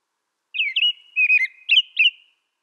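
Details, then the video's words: Fluid, slurred American robin phrases, four in a row with barely a pause, bright whistled tone wavering up and down, heard in clear silence. "American Robin Sound"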